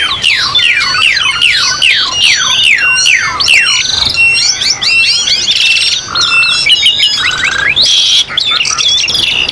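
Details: Asian pied starling song used as a training recording for captive birds, with mountain nature ambience: runs of repeated descending whistled slurs, then rapid buzzy chatter and sharp squeaky notes, densely layered with other high calls.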